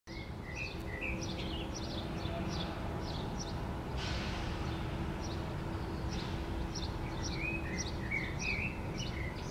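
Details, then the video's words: Common blackbird perched on an antenna in Helsinki, Finland, in June 2013, singing low fluted warbles that end in high, squeaky twitters, over a steady roar of traffic or wind. "Blackbird perching on an antenna, singing"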